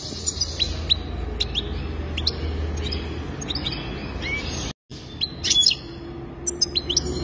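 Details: Goldfinch giving scattered high chirps and short twittering bursts, with gaps between phrases and a steady low background hum throughout.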